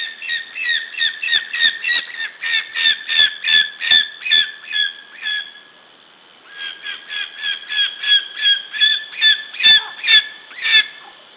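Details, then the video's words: Lesser spotted eagle in Latvia, recorded on 13 August 2012 at 9:11: a long series of clear, yelping two-tone notes, about two or three per second. The series fades out, goes silent for about a second, then resumes. "Latvian LSE - August 13 - 2012 - 9:11 - sound"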